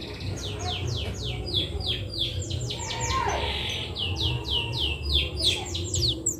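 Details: Canary singing a long string of quick downslurred whistles, briefly broken by a buzzy rasp midway, over a constant low background rumble.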